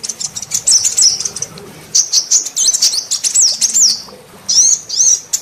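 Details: A female sunbird's lure call, used to provoke other sunbirds into calling: thin, high-pitched bursts of rapid twittering and sliding notes, grouped in one-to-two-second phrases with short pauses.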